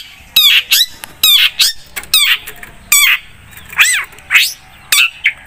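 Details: Long-tailed shrike singing vigorously as a lure sound: rasping, buzzy bursts in twos and threes, then several rising and falling slurred whistles near the end, over a faint steady background hiss.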